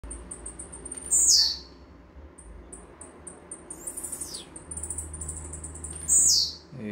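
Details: Blue-black grassquit (Volatinia jacarina) song, possibly a young bird: two sharp, buzzy downslurred notes about five seconds apart, between strings of faint high ticking, over a low hum.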